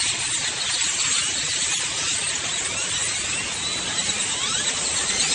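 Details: Thousands of grackles filling the trees one morning in Austin, Texas, make a steady wall of squeaky, rasping, high chatter; scratchy whistles and creaks blend together, no single bird standing out.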